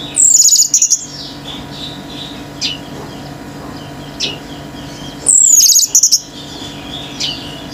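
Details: A male orange-headed thrush, excited and singing to rile nearby birds, gives two bursts of very high, slurred whistles with chattering notes, about five seconds apart, with single faint chips from other birds between.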